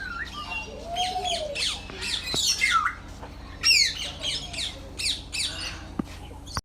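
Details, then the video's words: Several birds calling at Bangabandhu Sheikh Mujib Safari Park, Gazipur, Bangladesh: harsh, overlapping squawks and bright chirps in quick bursts, with one lower drawn-out tone early on and a person talking quietly. "Birds Making Nice Sounds at Gazipur Safari Park"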